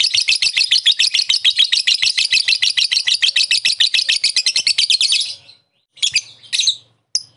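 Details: Lovebird calling to lure a rival lovebird into ngekek: a long, steady, fast rattling trill of harsh, high notes lasting over five seconds, then a few short chirps.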